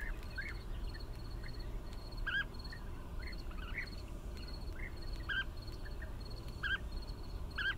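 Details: Repeated rolling bee-eater calls, short purring notes with overtones coming every half second to second, some nearer and louder, over a pulsing insect tick and wind-like low rumble.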